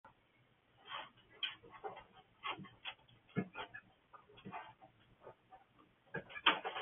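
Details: Two-month-old Buff Orpington young chickens waking up in the morning, giving a busy run of short, harsh clucks and chirps at irregular intervals, some louder bursts near the end, in a quiet indoor-sounding space.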